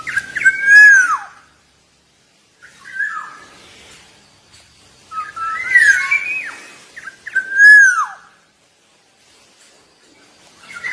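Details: Black-naped oriole from Java in full song, repeating rich, clear whistles that swoop down in pitch, each phrase set apart by a second or two of quiet.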